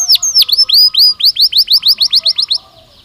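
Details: Belgian canary, a domestic singer, repeating a clear series of bright downslurred whistled notes about five per second, loud and evenly spaced, fading at the end.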